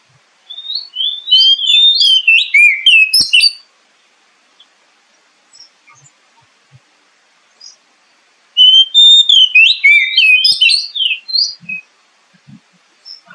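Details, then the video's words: Lure song of an Oriental magpie-robin, meant to get kept birds singing fast and build up the confidence of adults and speckled juveniles: two loud bursts of rapid, varied high whistles and trills separated by several seconds of near silence. "SUARA PANCINGAN BURUNG KACER AGAR CEPAT BUNYI DAN GACOR"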